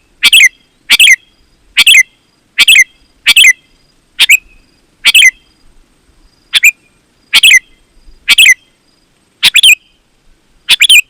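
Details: Sooty-headed bulbul singing, a recording used to call wild and caged bulbuls into answering: loud, clear chirpy bursts repeated about every second, thirteen phrases with brief silent gaps and no other sounds.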